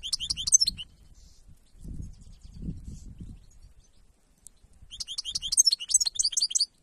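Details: Wild goldfinch song in bursts of quick, high, liquid twittering notes separated by a long quiet gap with soft low rumbles, the second burst longer and more varied.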